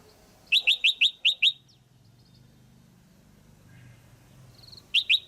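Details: Female red-whiskered bulbul calling to stimulate a male or for pairing: bright, sharp chirped notes in a fast series of five, then a short burst of three more near the end, over quiet background hum.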